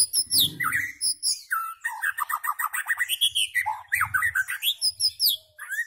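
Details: White-rumped shama in full song: a dense, fast run of varied whistles, chirps and downslurred notes, with high sweeping phrases and brief pauses between bursts.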